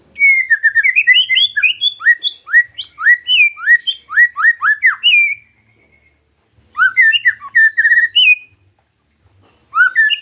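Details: Loud, steady white-rumped shama song as a lure to make other shamas sing: long runs of fast, varied whistled slurs and chattering notes, broken by two short pauses.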